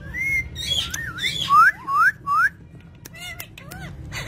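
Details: Parrot whistling a varied run: a flat note, wavering slurs, then three loud rising slurred whistles about half a second apart, followed by fainter short whistles and clicks over a low background hum.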